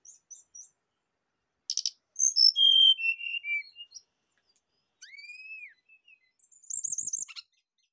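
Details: Rufous-chested flycatcher song used to get a kept bird singing quickly: clear high whistles sliding downward in steps, a rising-falling arched whistle after a pause, and a final shrill, wavering high trill.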